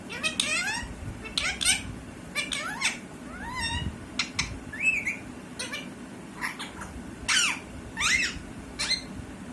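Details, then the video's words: A talking parrot gives a string of harmonic squawks and whistled notes, some curving sharply up or down, in uneven bursts over a steady low background hum. "talking parrot"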